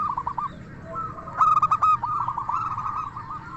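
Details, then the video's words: Crystal-voiced local zebra dove sings as a lure for other doves: a few soft bubbling coos, then a bright burst of rapid, sharply clipped notes, followed by a long rolling trill. "Perkutut Lokal Gacor SUARA KRISTAL Ahlinya Bikin Semua Burung Perkutut Langsung Nyaut"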